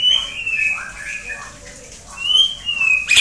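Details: White-rumped shama giving long clear whistles that slide gently downward, with softer warbled notes between them and a sharp burst at the end; steady low background hum.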